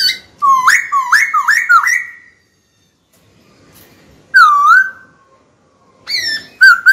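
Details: Caged white-cheeked laughingthrush singing to provoke a rival into fighting: four rapid upslurred whistles rising into a held note, a pause, then a dipping whistle and quick clipped notes at the end.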